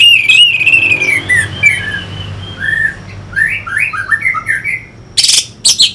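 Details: Orange-headed thrush song used to stimulate fighting birds: a wavering, descending whistle followed by soft, varied slurred notes and chirps, ending with two loud, sharp bursts; low hum underneath.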